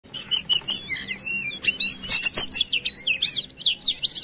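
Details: Oriental magpie-robin song used as a lure to make birds sing, a fast varied run of sharp whistles, rising slurs and chirps packed into rapid bursts, with a faint low hum beneath.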